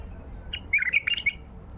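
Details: White-eared bulbul singing in the wild, recorded during hand trapping: one short, liquid, warbled phrase of quick bright notes lasting about half a second, over a low background rumble.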